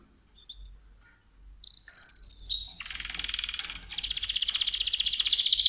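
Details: Mosaic canary song building from soft scattered notes into a steady whistle, then loud, harsh, buzzy rapid trills, with faint background noise.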